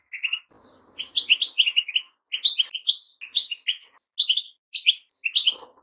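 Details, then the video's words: Goldfinch song: a lively, continuous twittering of short bright notes and buzzy chirps, delivered in quick clusters with brief pauses between bursts, with a faint low rustle early on. "Goldfinches - amazing song"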